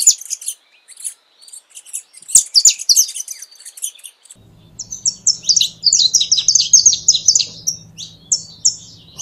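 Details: Canário-da-terra song: a burst of very high, scratchy, crowded notes, a brief pause, then clearer rapid chirps in quick succession, with a low hum entering partway through.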